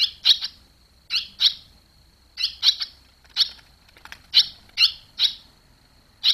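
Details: Barn swallows near the nest as the young leave it, July 2023; sharp chirps, mostly in quick pairs, repeated roughly every second, with a steady high electronic whine in the background.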